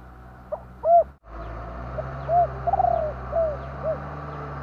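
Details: Spotted dove giving low, soft coos. A brief break interrupts one phrase, then a fuller phrase follows with a trilled, rolling middle note and falling hooted ends. Faint ticking sounds in the background.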